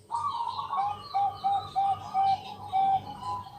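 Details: A night-time lure song from a Bangkok zebra dove, meant to set other doves singing. A rolling opening gives way to about five clipped coos roughly half a second apart over a low droning hum.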